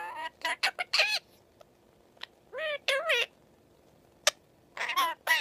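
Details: Indian Ringneck parakeet talking and singing. Bursts of harmonic, speech-like phrases, some with wavering rising and falling notes, come in short groups separated by quiet gaps, with a sharp click near the end.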